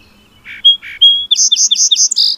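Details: Song sparrow singing: two low buzzy notes alternating with clear whistles, then a rapid series of five bright chirps ending in a buzzy note.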